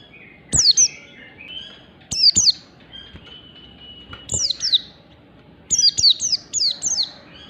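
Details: Morning ngalas-style song of an Oriental white-eye, recorded as a tutor for caged birds: sharp, high downslurred whistles in pairs, spaced a second or more apart, ending in a quick run of four falling notes.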